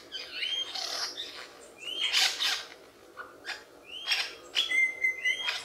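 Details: Lyrebird, known as a mimic, sings a string of high upslurred whistles mixed with noisy chattering bursts, ending in two short, flat, pure whistled notes in quick succession.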